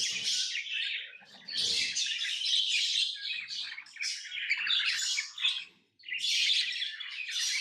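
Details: Pet lovebirds keep up a harsh, high, scratchy chatter in long bursts, with a brief silence near the end before the chirping resumes; faint low rustling throughout.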